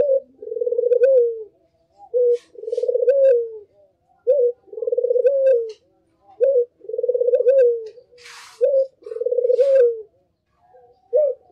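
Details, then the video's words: A Barbary dove (puter) gives low, rolling coos, each a short note then a longer trembling one, repeated every two to three seconds, with faint chirps in the background. "SUARA BURUNG PUTER gacor"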